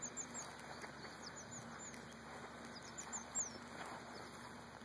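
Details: Three ruffed grouse chicks give soft, very high, thin peeps at scattered intervals over a steady background hiss.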